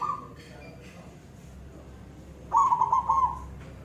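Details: Zebra dove of the silver type giving its koong-style song: a brief tail of a cooing note, a quiet gap, then one loud, rapidly rolling, bubbling phrase lasting about a second.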